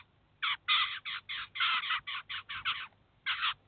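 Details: Eurasian jay with chicks at a cheese feeder in Kaluga, the adult feeding and teaching the young; after a short quiet start, a run of about a dozen grating screeches, then a pause and one final pair.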